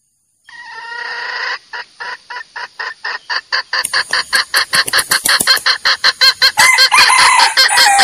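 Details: Calling male red junglefowl, an original recording used to trap roosters: a drawn-out harmonic call breaks into fast, evenly repeated clucking notes about three per second, growing louder toward the end.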